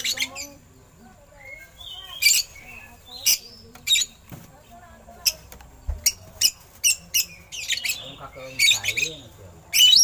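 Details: Song of an oriental magpie-robin with eagle imitations, recorded as a master for training birds: scattered harsh, buzzy high bursts and sharp clicks alternating with brief whistles, growing denser and louder toward the end.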